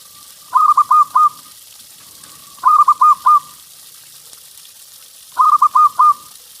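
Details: Zebra dove song meant to draw in other doves, from a local bird: three evenly spaced phrases about every two and a half seconds, each four quick coos, over a faint constant hum.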